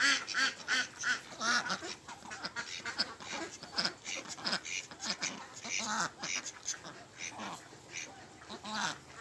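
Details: Pond ducks, among them Mallards, Mandarin Ducks and Pekin Ducks, keep up a busy, overlapping chorus of rough quacks. The calls come in irregular runs of short honking notes throughout.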